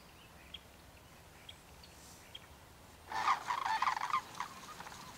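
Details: After a quiet stretch with faint ticks, a sudden burst of rolling, rattling calls lasting about a second from sandhill cranes feeding during migration in farm fields on refuges in Oregon or Washington.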